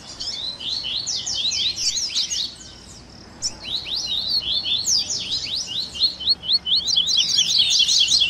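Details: Double-collared seedeaters in a 'baderna' chorus used to warm up and train captive birds, with tui tui, grego, viviti, flauteado and third-note variations: dense overlapping high, sharp chirped notes in rapid trills, a brief lull near three seconds, then renewed busy singing.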